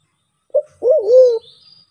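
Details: White-faced cuckoo-dove from Sulawesi, a call used as a trapping lure: one short low note, then a longer wavering, throaty coo that rises and falls before fading, in an otherwise quiet background.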